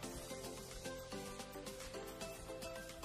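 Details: Steady instrumental background music with sustained tones and a soft beat; no animal voice comes through.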